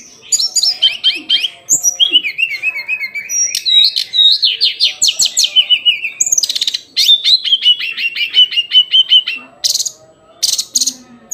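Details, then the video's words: Daily song of a hill blue flycatcher, known locally as tledekan gunung: a rich, fast run of high warbled and trilled whistles, with rapid repeated notes and descending slurs, loud and continuous. "Kicauan harian Tledekan gunung"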